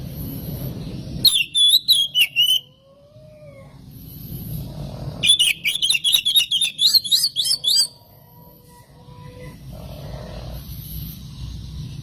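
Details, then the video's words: Lure song of an oriental magpie-robin, meant to provoke rival birds: two bursts of fast, varied chirps and short whistles separated by a pause, over a steady low hum. "SUARA BURUNG KACER INI AMPUH UNTUK PANCINGAN KACER AGAR CEPAT KONSLET DAN NGEPLONG"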